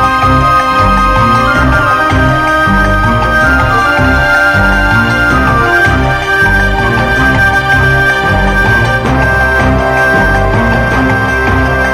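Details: Loud, steady instrumental music with a thumping bass beat fills the whole stretch, and no animal voice can be picked out.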